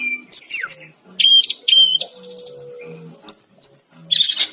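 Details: Brown-chested jungle flycatcher in full song, delivering short bursts of very high, sharp whistled and chirping notes separated by brief pauses, with a steady low hum in the background.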